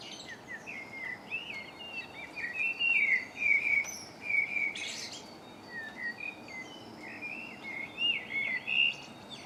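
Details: Lovely birdsong from a March dawn chorus in MK, filmed on a Canon Legria: continuous high warbling and twittering from multiple birds, rapid repeated notes rising and falling, with a brief noise burst midway.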